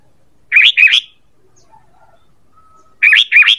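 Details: Sooty-headed bulbul calls used as a lure: two bursts, each of two quick bubbly, warbled notes in a pair, the second burst about two and a half seconds after the first, with near silence between.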